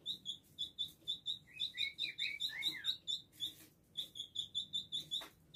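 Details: Village indigobird (Vidua chalybeata) recorded 14 October 2022 in a daily, in-form song used as a tutor recording: rapid high chirps about four per second, broken midway by lower swooping buzzy notes, then steady chirping resumes.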